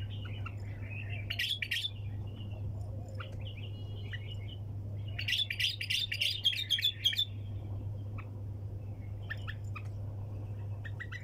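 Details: A bulbul delivers the wing-clap, hunter-style song without pause. It has bursts of sharp clicking chirps early and late, with a dense chattering phrase near the middle and a constant low electrical hum underneath.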